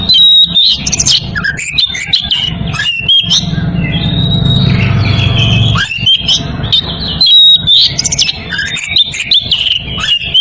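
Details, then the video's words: Oriental magpie-robin in breeding condition calling a rival: loud varied whistled phrases with sharp rising and falling notes and clicks, long pure whistles near the top, over a low background hum. "Kacer birahi memanggil lawan"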